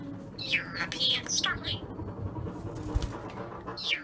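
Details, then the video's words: Trained European starling mimicking words and phrases, heard as a jumble of squeaky, speech-like whistled syllables in short bursts separated by brief pauses, over a low background rumble. "European Starling Mimics Words"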